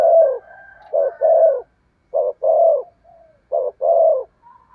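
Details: Spotted dove kept as a lure for wild doves, giving close, loud coos: brief note then a sustained throaty coo, repeated steadily, with faint soft whistles between phrases.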